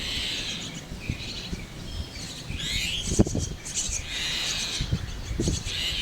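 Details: Chestnut-tailed starling nestlings in a tree hollow give a steady chorus of high, hissing, wheezy begging calls that swell and fade, with low thumps and rustling beneath.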